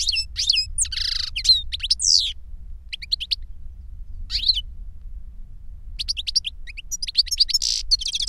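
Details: Song of caged European goldfinches, an adult teacher and a novice that copied his singing from a CD; liquid twittering and chirped notes in clusters separated by a silent stretch, then a lively closing burst.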